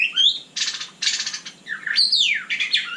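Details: A white-rumped shama's night song mixes harsh buzzy bursts with quick whistled notes that swoop downward, delivered in short, broken phrases.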